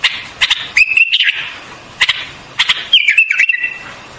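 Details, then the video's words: White-eared bulbul song: short clear whistled notes, some level and some dipping, delivered in separate brief phrases about once a second, interspersed with sharp clicking sounds. "White-Eared Bulbul Song"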